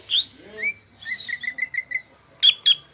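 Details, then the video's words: Greater green leafbird (cucak ijo) producing a slurred whistle, a short run of five quick even whistled notes, then two sharp loud chips. "BURUNG CUCAK IJO GROPYOKAN GACOR"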